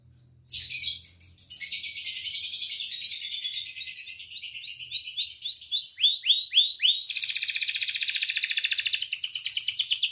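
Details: Young canary learning to sing in the afternoon: long continuous high trills, rapid repeated notes changing tempo, a slower run of rising sweeps, then a steady fast high roll.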